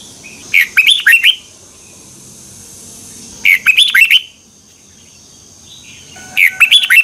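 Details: A Red-whiskered bulbul in its morning training song, twisting double-voice style, 2021, used as a lure-bird recording. Three short warbling phrases of rising and dipping whistles come about every three seconds, with quiet gaps between them.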